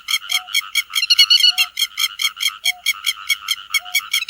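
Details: Lure recording of a grey-headed lapwing calling the flock: sharp, clipped rasping notes repeated evenly several times a second, with a short faint tone recurring about once a second.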